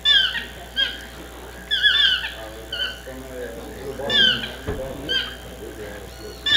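Chestnut-mandibled toucan giving loud, ringing yelps with a slurred, rising-falling ring, in bursts every second or two, over a soft low murmur.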